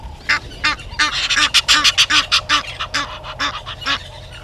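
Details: A red-billed hornbill calls from its nest tree at Gowrie dam, Djuma Game Reserve, Sabi Sand Wildtuin, South Africa, morning of 30 January 2020: loud, harsh clucking notes in a steady series of about three per second.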